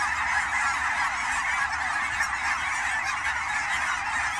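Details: Migrating Canada geese in autumn at the Fern Hill Wildlife Area ponds, Forest Grove, Oregon: constant overlapping honks from many birds blend into a thick, steady wall of calling with no pauses.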